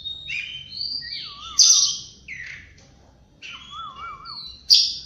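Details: Oriental magpie-robin morning song: varied whistled phrases with rising and falling slides, two loud sharp bursts, and a lower undulating warbled whistle heard twice.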